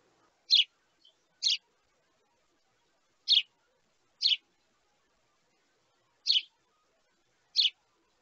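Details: Sparrow young pleading with parents for food, six loud raspy chirps falling into loose pairs separated by silent pauses, one tiny faint note early on.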